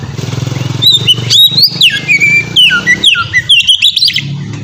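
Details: A ngeplong song from an Oriental magpie-robin, meant as a lure for other magpie-robins: a varied string of loud whistled glides and dipping notes over a constant low background hum.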